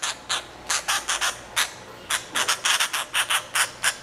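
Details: Young grey treepie, about two months old and hand-reared after being found beside a road, begging during hand-feeding: harsh, scratchy squawks in irregular clusters separated by short pauses.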